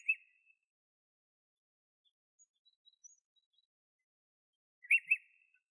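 Jacobin cuckoo giving sharp, high whistled notes: a single note, then after a quiet gap a quick double phrase. Faint chirps from distant birds in between.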